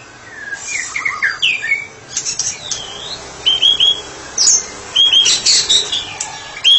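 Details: Murai batu (white-rumped shama) therapy bird singing ngeplong: a soft opening of slurred whistles, then sharp chips and short high whistled notes in clipped bursts, some clicking in between.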